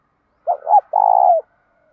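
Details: Spotted dove song in 'thúc dút' style, used to rouse doves in training: two short, rounded hoots, a brief pause, and one long, vibrating coo that slides down at its end.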